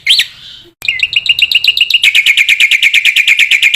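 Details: Vigorous black-winged myna song, played to tutor other black-winged mynas: one rising whistled note, a short silence, then a dense, rapid run of sharp repeated chattering notes that steadily lower slightly in pitch.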